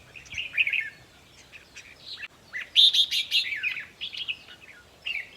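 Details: Caged red-whiskered bulbul song used in decoy trapping to make other birds lively: short chattering whistles, then a loud run of rich, rolling notes in the middle, followed by softer warbled phrases.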